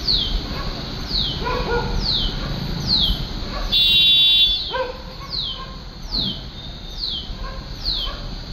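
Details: A Shikra (Accipiter badius) in Mapusa gives a string of high, sharp, downslurred notes, roughly one every second. A brief harsh crackle breaks in midway over constant background hum.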